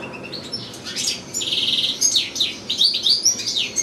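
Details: Caged European goldfinch in full song, sharing space with another goldfinch and two little goldfinch-canary hybrids; soft opening chirps build into a steady buzzy trill followed by tumbling high twitters.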